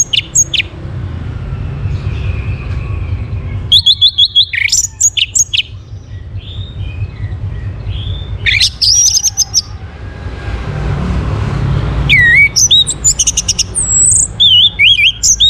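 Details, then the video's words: Orange-headed thrush song used to prompt other birds to sing: loud bursts of varied, rapid notes and sharp whistles, high and bright, separated by quieter gaps with a low background hum. "KICAUAN ANIS MERAH UNTUK PANCINGAN AGAR BURUNG IKUT BERKICAU"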